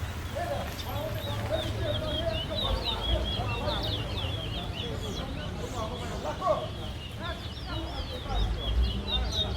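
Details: Towa towa (Chestnut-bellied Seed-finch) singing at a bird song competition in Guyana: rapid high whistled and warbled notes in quick run, with lower warbles, steady crowd murmur and a man counting aloud.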